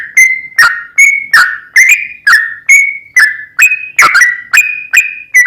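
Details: Sooty-headed bulbul, chatty long song used to stir another bird to sing; clean whistled notes at a steady pace, each starting with a click and gliding slightly downward, no other sounds.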